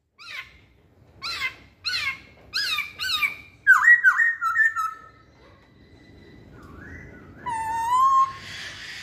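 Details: Masked laughingthrush lure song with spaced, harsh descending notes giving way to quick upslurred whistles, a pause, then a rising whistle and a drawn-out buzzy note.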